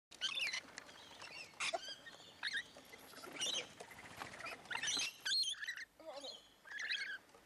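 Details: Hundreds of rainbow lorikeets at Lane Cove National Park keep up a continuous, overlapping chatter of harsh, high screeches and shrill chirps, with louder bursts every second or so.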